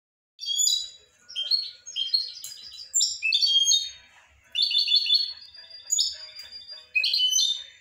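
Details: European goldfinch song: quick bursts of bright, tinkling twitters and buzzy trills, high-pitched and varied, broken by short pauses.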